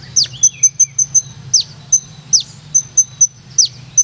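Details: Singing olive-backed sunbird from Purworejo: shrill high ticks repeated about two and a half times per second, broken by sharp falling whistles and one lower wavering note early on.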